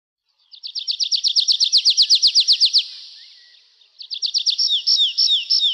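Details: Nightingale song: a rapid series of loud, repeated whistled notes, about four per second, followed by a fading trill, then a second burst of repeated notes and sliding, downward-swooping whistles.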